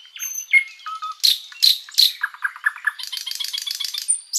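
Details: Flycatcher (sikatan londo) in long continuous master song for tutoring other birds: thin high whistles and a low slurred note, then loud harsh bursts, a run of short descending chips, and a dense buzzy trill.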